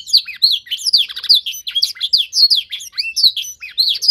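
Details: Continuous bright canary warbling from a young bird in song training to imitate a master singer, made of quick looping, rising-and-falling high notes repeated in rapid succession.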